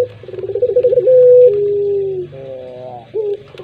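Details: Puter pelung dove: a fast, throbbing trill of coos climbs into a long, pure sustained note, then slides down into a low drawn-out moan and ends with a brief upward yelp. A steady low drone sounds behind it.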